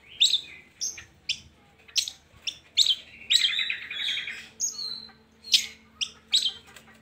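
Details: Long-tailed shrike song used as a lure to prompt lazy shrikes into singing: sharp, high chirps and short scratchy phrases in separate bursts, with a thin steady whistled tone mid-way.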